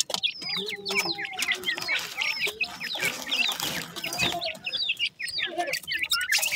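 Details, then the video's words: Many young grey francolins in captivity at the morning feed, keeping up loud constant cheeping: thin, downward-bending chirps crowding together with a noisy rustle in the middle. "teetar chicks morning time feed R voice"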